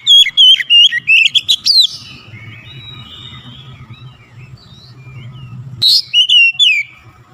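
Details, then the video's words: White-rumped shama singing a quick series of wavering whistles and steep rising notes, then a long quiet stretch with low hum before another short burst of slurred whistles. "TEMBAK SUARA KACER LANGSUNG GACOR"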